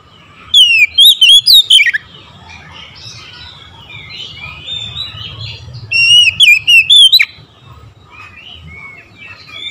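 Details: Oriental magpie-robin in the morning delivering two quick runs of clear, warbled whistles that dip and rise sharply, with a quieter stretch of soft twittering and low background rumble between them.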